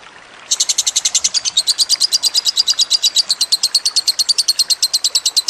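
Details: Lovebird master song, used for training other birds, set over trickling water: after a brief quiet start, a long unbroken trill of sharp, high, buzzy chirps runs very fast, about eight per second.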